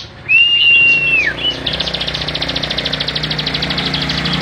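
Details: Bar-winged prinia, a kept songbird in full song, used as a tutor for training other songbirds: one long level high whistle, then a fast, even chatter of sharp high notes repeated about ten times a second for three seconds.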